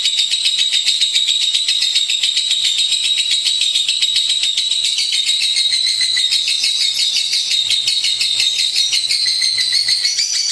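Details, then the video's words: A lovebird chatters continuously in a shrill, rapid, buzzy stream of high squeaks and rattling notes that scarcely pause. "Suara Burung Love Bird | Gacor"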